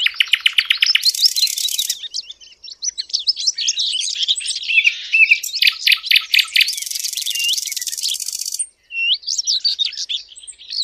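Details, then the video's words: Sylvia warbler calls used to lure birds for hunting: a busy stream of sharp ticks, high twittering phrases and rasping bursts, with brief pauses and clicking runs, sounding like several birds calling together. "صيد وصوت طيور الدخل Sylvia sound"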